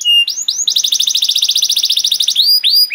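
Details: Canary singing as a master for young canaries: a clear whistle and rising slurs lead into a fast, even, buzzy trill of about twenty pulses, ending in upward sweeps.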